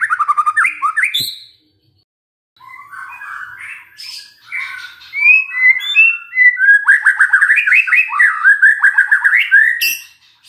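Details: Song of a magpie-robin meant as a lure to get a silent bird singing: fast whistled notes, a brief pause, softer varied warbling, then a loud stream of rapid repeated whistled phrases.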